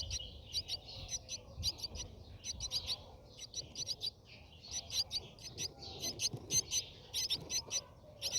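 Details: Brahminy starling at the nest, recorded inside it around feeding time; thin, high chirps come in short clustered bursts roughly once a second, fairly irregular, with soft rumbling noise underneath.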